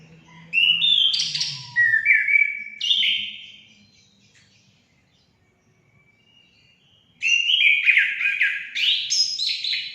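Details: Orange-headed thrush song for stimulating pet birds to sing, two varied warbled phrases of stepped whistles and scratchy twitters separated by a silent pause of about three seconds.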